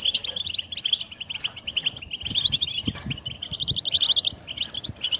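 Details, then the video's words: European goldfinch singing to encourage a pet bird: rushing high twitters and metallic trills, including a longer buzzy run near the middle, pausing briefly before resuming, with faint low sounds underneath. "من أجمل البتبتات الحصرية 🔰🔰 طائرك سوف يغرد و يصبح كثير الحركة goldfinch batbata"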